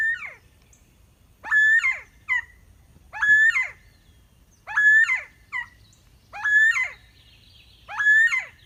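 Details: Northern bobwhite giving clear, whistled notes around two per phrase, each bright slurred note falling away, with a brief soft extra note after some, repeated about every one and a half seconds over a faint low rumble.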